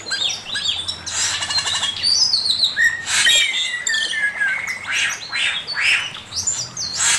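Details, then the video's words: Male Chinese hwamei singing master song, with long flowing sequences of loud whistles, fast trills and buzzy rattles, changing pattern every second or so over several seconds. "Burung poksay mandarin suara masteran Poksay mandarin jantan"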